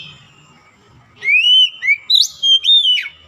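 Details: Oriental magpie-robin, described as a lazy singer being brought back to vigorous singing, gives a short burst of loud slurred whistles, rising then falling, with a high bright note near the end after a second of near silence.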